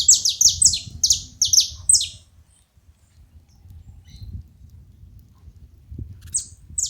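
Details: High, downward-sweeping chirps from a saffron finch at a feeding spot pour out rapidly for two seconds, then a quiet gap with low rumble, before two more chirps near the end.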